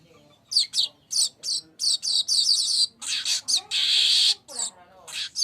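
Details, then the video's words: Streaked weaver song played as a lure recording: a run of short, dry, buzzy chirps in quick bursts, then a long harsh hissing buzz and a few closing chirps; faint low murmur beneath. "PANCINGAN BURUNG MANYAR KEMBANG"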